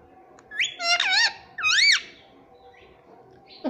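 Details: Pet parrot vocalizing in a small room: a short whistled note, then wavering, rippling squeaks that bend up and down, two main bursts about a second apart, and a brief squeak at the end.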